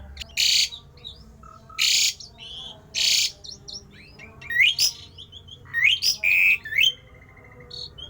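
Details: Javan pied starling delivering an unusual, rare song meant to make other starlings heated and singing: three harsh, noisy rasping blasts a second or so apart, then a string of rising whistles and buzzy chattering notes.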